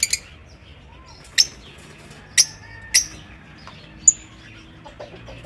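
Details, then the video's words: Pet lovebirds in an aviary giving sharp, shrill chirps spaced one to two seconds apart, four clear ones in all, over a quiet background with faint softer twitters. "Lovebird Singing & Chirping Sounds"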